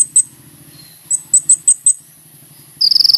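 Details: Sunbird in full song, used as a lure to call in other birds; a series of piercing high chips, a few per second, then a rapid buzzy high trill at the end.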